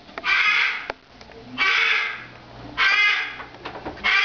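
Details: A female pet cockatoo giving her usual first-thing-morning and last-thing-evening greeting, screaming for about five minutes: loud, harsh, raspy screams, each about a second long, repeated roughly every second and a half.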